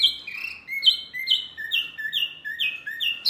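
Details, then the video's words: Mini wambi bird, loud and said to provoke other birds, repeating falling whistled slurs a little more than once per second, some notes dropping lower in pitch. "SUARA BURUNG WAMBI MINI RIBUT SEKALI,BIKIN EMOSI BURUNG LAIN!"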